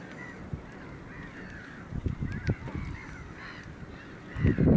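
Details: Caspian gull, one individual, 9 March 2016: repeated harsh, slightly descending nasal calls in an irregular run, with low thumps and knocking noises near the end.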